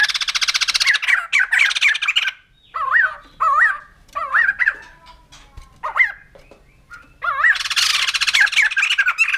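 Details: White-crested laughingthrush calling: loud harsh rattling bursts open and close the sequence, with clear wavy, bouncing whistled notes repeated in between, each rising and falling in pitch.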